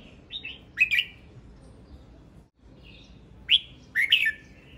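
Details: A male red-whiskered bulbul (Pycnonotus jocosus) sings two short, bright warbled phrases about three seconds apart, each a quick run of rich, bubbling notes over a quiet background.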